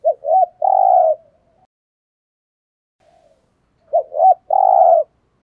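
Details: Decoy cooing of a spotted dove, used to provoke rival males: two quick, soft coos, then a drawn-out hollow note. The phrase is given twice with a few seconds of silence between.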